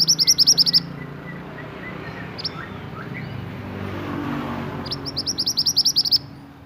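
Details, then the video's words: Pied bushchat, a bird native to Indonesia, singing actively as a model for tutoring caged songbirds: two bursts of quick, high, sharply repeated notes separated by a long pause, over steady low traffic rumble. "BURUNG MANTENAN GACOR UNTUK MASTERAN"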